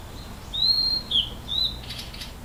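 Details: A captive Blue-and-white flycatcher sings at Inokashira Park Zoo, filmed 11 June 2015: clear, high, slurred whistles in three short phrases, ending in a brief harsh buzzy flourish.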